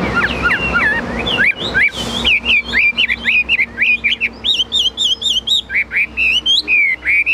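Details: Kept Chinese hwamei in full high song: clear, ringing whistles repeated about twice per second, each note bending sharply up or down, with a steady low hum in the background.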